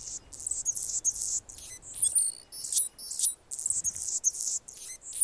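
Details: A male Anna's hummingbird defending its territory near a nest where a female feeds a chick gives rapid, scratchy, very high buzzes and thin squeaks in uneven bursts, several per second, over a quiet background.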